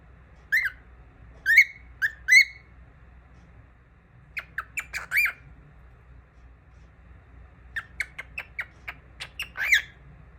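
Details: A young cockatiel sings loud squawky whistled notes. Three strong chirps open the phrase, followed by runs of short, rapid, clipped notes that are repeated unevenly. The room is otherwise quiet.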